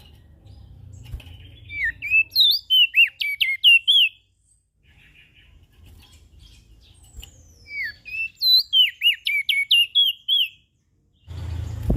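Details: Ashy prinia in full loud voice, used as a lure for small birds: two rapid bursts of about a dozen sharp, slurred chirps and whistles each, separated by a short quiet gap, with a faint low hum behind.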